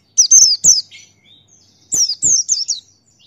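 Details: Buxtoni white-eye, a male, in energetic 'ngalas' tutor song: two quick runs of thin, very high descending whistled notes, three or four notes each, with a short pause between them.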